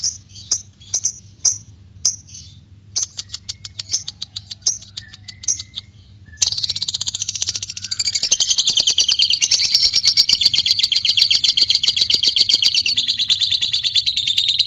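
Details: White-beaked lovebird opens with scattered sharp chirps and clicks, then after about six seconds launches into a long ngekek, a loud, rapid, buzzing chatter that runs on without pause, with a low hum underneath.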